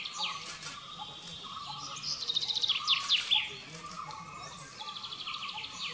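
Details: Flame-throated bulbul calling: a busy run of quick, bright chirps and downward-sweeping whistled notes, densest in the middle, with fainter bird calls and a low steady hum behind.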